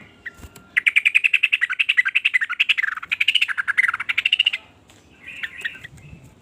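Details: Sooty-headed bulbul singing a rapid run of bubbly, warbled notes about four a second for nearly four seconds, the notes rising and dipping, followed by a short softer chatter.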